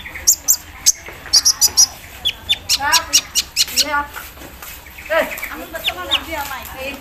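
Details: Caged Javan sunbird after morning dew exposure, giving a busy embroidery-machine style fill: staccato high ticks in quick series mixed with fast wavering chatter at middle pitch.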